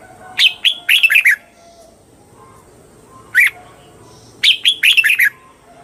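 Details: Red-whiskered bulbul with a bright phrase of several quick whistled notes running into a warble, then one isolated note, then the full phrase again.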